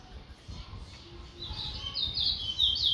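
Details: Towa towa (chestnut-bellied seed finch) from Guyana: after a quiet start, a high, sweet warbling phrase builds midway, with rapid slurred twittering notes growing louder toward the end.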